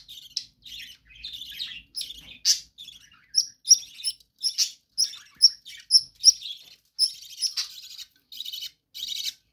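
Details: Captive budgerigars in a room give a varied warble of short whistled chirps, clicks and buzzy notes, quick and irregular.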